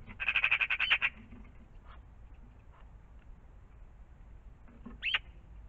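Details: In the morning by a pond, a magpie delivers a rapid harsh rattle of about ten notes, then quiet ticking, ending with a short hooked squeaky call.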